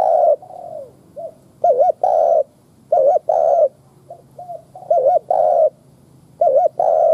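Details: Lure spotted dove cooing to excite wild doves, repeating low phrases of a trembling double note and a longer coo, with quieter short coos between them, about four phrases.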